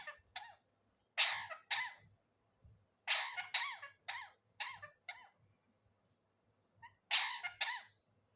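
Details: Parrot imitating a human cough: bursts of harsh, raspy coughing noises in quick clusters of two to five, separated by short silences, repeated three times in a quiet indoor setting.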